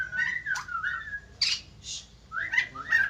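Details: Caged white-crested laughingthrush singing loud, drawn-out slurred whistles that rise then fall, broken by a harsh, noisy high burst in the middle, over faint low hum.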